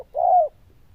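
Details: Single long mellow coo from a zebra dove with a loud, bell-like voice and good cooing style. The note rises slightly and then falls, followed by quiet.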